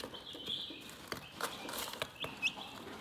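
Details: Calm chicken chirping: scattered high, thin peeps, some held briefly and some rising sharply, over a soft background hiss with a few dry taps and clicks.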